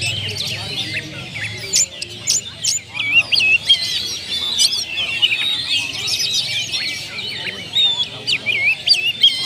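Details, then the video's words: Oriental magpie-robin, kept kacer, in repertoire-rich lure song: strong rising and falling whistles with sharp click notes, delivered in loud bursts separated by short quieter gaps. "PANCINGAN SUARA BURUNG KACER ,BONGKAR ISIAN"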